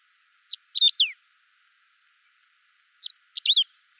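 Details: Two song phrases from a saffron finch in a natural recording without effects. Each opens with a lone chip and continues into a loud, quickly descending, slightly buzzy whistle.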